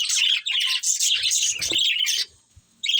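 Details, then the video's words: Budgies chattering in a dense run of high, scratchy chirps and warbles, then a short silence before the chirping resumes. "Cute Budgies Chirping Sounds"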